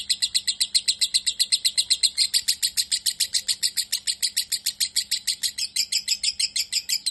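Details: Rapid lovebird song made of dense, evenly paced, shrill chirping notes that run continuously without pause and grow slightly higher and brighter partway through; a soft background hum is also present.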